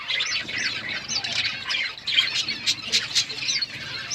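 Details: Budgerigars feeding on food, giving dense high warbling chatter with quick rising and falling chirps and short squawky notes, several birds calling over each other without pause.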